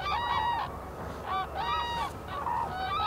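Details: Highly endangered black-necked cranes foraging in winter in Phobjikha Valley, Bhutan, give loud bugling honks, each call a rising then falling trumpeted note, several in quick succession over a steady low rumble of background noise.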